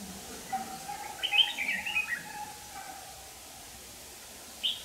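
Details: Red-whiskered bulbul decoy singing to fight, used for trapping; a quick warbled phrase of several bright notes, then a lone short note a few seconds later, over low background noise.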